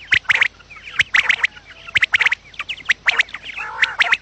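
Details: Quail calls recorded to lure quails for trapping: short, harsh, sharply pulsed notes in quick clusters of three or four, the clusters repeating about once a second, with faint scattered chirps in between.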